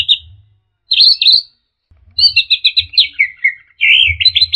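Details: Punglor, orange-headed thrush, singing a busy 'teler' song used to tutor and lure birds: bright whistled bursts, then a fast run of clipped chirps sliding downward into warbled notes, over a faint low hum.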